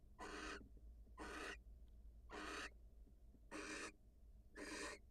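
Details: Wild female barn owl leaving the nest to greet and kiss her mate: five rasping, noisy hisses, each under half a second, spaced about one second apart over a low background hum.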